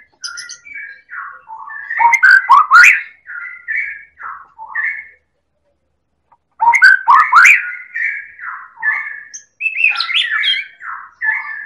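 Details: White-rumped shama of the Medan type, a champion songster recorded as a lure for other birds, delivering long continuous runs of varied whistles, trills and sharp clicks, broken by one brief pause.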